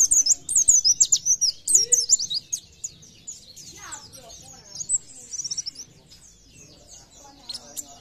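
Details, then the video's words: High-pitched gacor nembak song of an Oriental white-eye, meant to spur other white-eyes into singing: rapid bright twitters at the start, a sweeping warbled phrase, then softer scattered chips, with a faint low voice partway through. "PLECI GACOR NEMBAK BIKIN PLECI TAMBAH GACOR"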